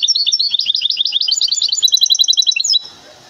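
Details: Large goldfinch hybrid from Temara singing a fast, continuous stream of bright, high twittering notes with tinkling trills for nearly three seconds. It ends abruptly, leaving low background noise.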